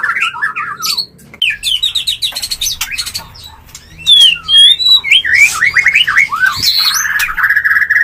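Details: White-rumped shama mating sound, used to bring birds into breeding condition: loud, varied whistled phrases that rise and fall, broken by quick chattering trills and a steady high whistle at the end.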